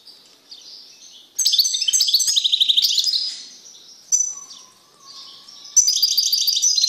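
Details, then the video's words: Caged male European goldfinch singing vigorously after being removed from a female canary: soft high notes, then a dense, jangling twittered trill, a short pause with a faint low steady tone, and another burst of bright twittering. "تغريد قوي لذكر طائر الحسون بعد عزله عن أنثي الكناري"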